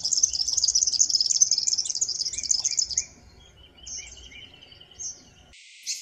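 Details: Eastern double-collared sunbird from an isolated East African sky-island population, singing a rapid high jumble of twittering notes for three seconds, followed by sparser short chirps and thin trills over a faint low background rumble.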